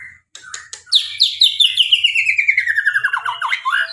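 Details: White-rumped shama (murai) singing a full varied song: a rapid descending series of repeated clear whistled and chirping notes, sliding lower through four seconds, ending in looping phrases; faint low hum beneath.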